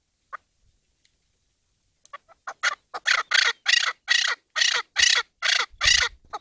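A Chukar partridge gives a harsh, accelerating series of loud clucking chuck notes, building into about ten broad, raspy bursts.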